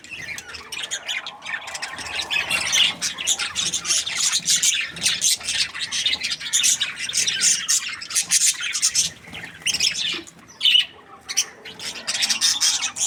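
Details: Budgies chirping happily, a long steady stream of buzzy, rasping warbles and sharp squawky notes with little pause.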